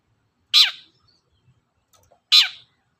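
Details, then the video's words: Long-tailed shrike used as a lure to provoke other birds to sing: two harsh, scratchy screeches nearly two seconds apart, with quiet between them. "suara pancingan burung cendet"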